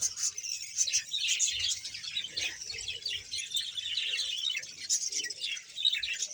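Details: Budgerigar colony in Bahawalpur, about 100 pairs, giving a lively mix of sharp chirps, squeaks and warbled twitters from many birds at once.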